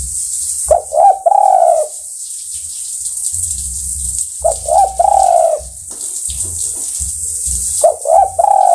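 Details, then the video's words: Spotted dove calling to companions with three separate phrases, each a pair of short coos followed by a longer wavering note, spaced several seconds apart over steady hiss and low rumble. "Sudah Teruji Tekukur Memanggil Kawan"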